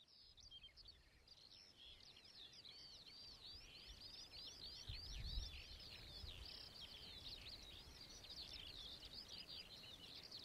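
Whinchat song, a fast run of scratchy, chattering notes and short whistles, high-pitched and almost unbroken, over a low rumble of wind.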